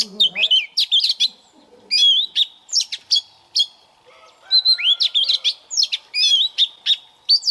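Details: Morning training song of a White-rumped shama used as a decoy bird: rich, rapid whistles and chattering notes in clustered phrases separated by short silences, with a low murmur near the start.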